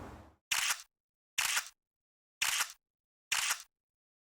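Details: No animal voice, only four sharp, broadband camera-shutter clicks, spaced about one second apart, with a brief soft rustle at the start and silence in between.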